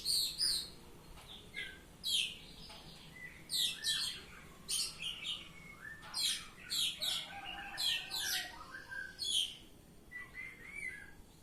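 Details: Oriental magpie-robin delivering repeated loud ngeplong phrases, rapid harsh chatters and sharp whistles coming every second or so, with brief quiet pauses between bursts.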